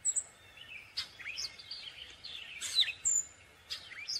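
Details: Gray catbird song of slurred, wavering whistles and buzzy notes, broken by sharp scratchy bursts. Thin high whistles from another bird sound alongside.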